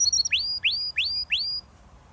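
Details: Canary song fragment: four bright upward-sweeping whistles in quick succession, about three per second, ending in quiet.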